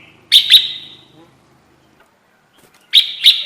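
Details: Trapping lure call of a red-whiskered bulbul: two loud, sharp double chips, each pair trailing into a short buzzy tail, about two and a half seconds apart, with silence between.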